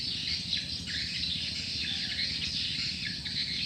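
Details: Recorded swiftlet calling sound for drawing in swiftlets: many overlapping shrill twittering chirps, some dropping quickly in pitch, forming an unbroken high-pitched chatter above a faint low hum.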